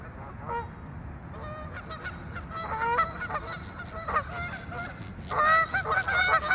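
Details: Turf war among Canada geese at Waveland Lake, Chicago North Side: sparse nasal honks at first, building into a loud, dense chorus of overlapping, strident calls toward the end, with a constant low background hum.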